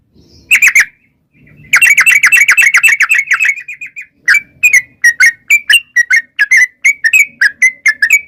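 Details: Lure song of a yellow-vented bulbul in long rapid style: a quick chattering run of dense notes, then a steadier series of separate bright chirps repeated about three per second.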